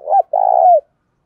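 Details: Spotted dove coo in the thổ đồng voice, meant to provoke rival males: a single phrase of one short note, a brief gap, then a drawn-out, husky coo that drops at the end.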